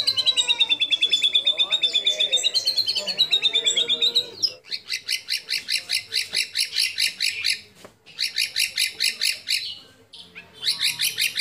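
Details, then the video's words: Fill-in phrases of a white-rumped shama in competition song. A wavering rapid trill is followed by bursts of harsh, pulsed chattering separated by short pauses. "25 Tembakan Murai Batu Isian Sadis Dan Mewah Yang Disukai Juri"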